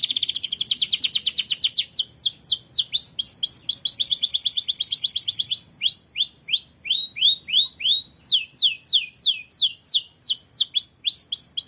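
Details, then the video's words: Canary song for training other birds: a long continuous performance switching between fast buzzy trills and series of loud sweeping whistled notes, no pauses. "KENARI GACOR. MASTERAN BURUNG TERBAIK"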